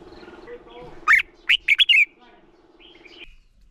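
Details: Red-whiskered bulbul singing, used as a lure to stimulate other bulbuls to sing and train their voices; one burst of short, bright, rapidly repeated chirped notes mid-clip, with faint background chatter before and after.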